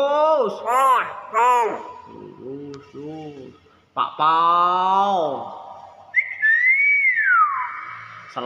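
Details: Common hill myna kept indoors: a run of harsh, arched, voice-like syllables, then a drawn-out nasal falling call and a clear whistle that rises and slides down. A person repeats short words nearby.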